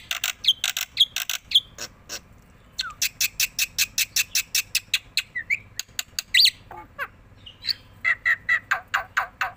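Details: Tame black-winged myna singing vigorously while bobbing its head: harsh broadband squawks and chattering bursts in rapid runs, mixed with short clear whistled notes, over a faint low background hum.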